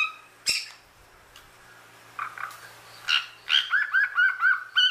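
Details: Talking cockatoo giving scattered scratchy sounds, then a quick series of short tonal, slightly rising squawky syllables repeated about every quarter second, like rapid chatter, ending on a sharp note.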